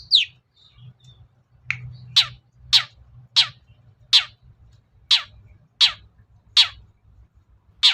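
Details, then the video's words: Long-tailed shrike sound for luring birds: harsh, downward-sweeping rasping notes repeated about every 0.7 seconds, with a low hum in the background. "BURUNG CENDET GACOR || SUARA PIKAT CENDET SUSAH BUNYI"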